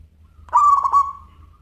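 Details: ['Single cooing phrase from a local zebra dove singing actively in crystal-voice style. A few rapid clipped notes run into a sustained, even coo that fades slowly. A faint low hum sits in the background.']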